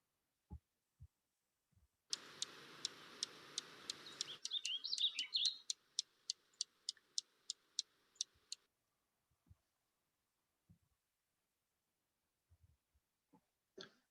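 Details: Dark-eyed junco in Montana giving its abrupt scolding or alarm 'tip' call note, used in close communication: sharp, high ticking notes, two or three a second for six seconds, with a brief jumbled twitter partway through, over light hiss.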